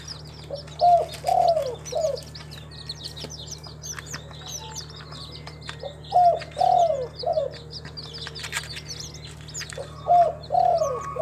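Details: Local tekukur, the spotted dove, kept in a collection in Timika, Papua, Indonesia: three repeated phrases of short-long-short mellow coos, the long note gliding downward, with busy thin chirps from smaller birds behind.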